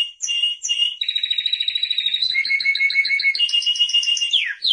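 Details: Timbrado canary song of chained rolling trills and clear whistled tones at changing pitches, ending with a swift falling note.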